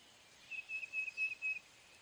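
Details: Tufted titmouse delivering a quiet series of five even, flat whistles at a steady pace, heard over soft background hiss.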